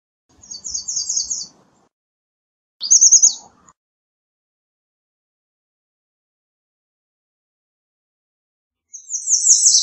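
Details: Three short, high American redstart song phrases of rapid repeated notes, two close together near the start and another after a long quiet gap.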